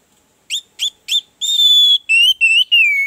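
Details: Song of an Orange-headed thrush played to prompt a reluctant bird: three short upward-flicked notes, then a long, level, pure whistle and three more sustained whistles, the last sliding gently downward.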